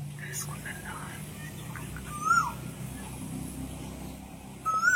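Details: Asian koel singing from a perch on a cloudy, breezy morning: two brief, clear whistled notes rise in pitch a couple of seconds apart over a low hum of breeze; it stopped calling when people imitated it.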